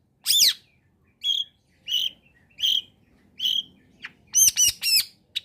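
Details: Long-tailed shrike in full voice, a combination lure for shrikes slow to sing: one harsh squawk, then four short buzzy notes, ending in a quick cluster of rasping squawks; background otherwise quiet.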